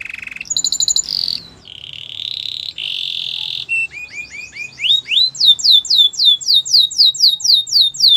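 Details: Canary training song: brief high trills and buzzy rolls lead into a sequence of rising slurs that turns into loud, regular downward-sweeping whistled notes.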